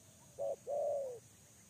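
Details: A single two-part coo from a spotted dove kept as a lure bird: a quick short note, a pause, then a longer level coo that slides down at the end.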